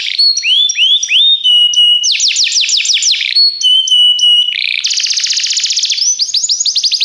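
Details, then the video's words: Training song from a Belgian canary: rising whistled slurs and level pure tones, a fast trill burst, another steady whistle, then a dense buzzy rattle and looping notes. "o melhor som canário !! treinamento canário belga cantando"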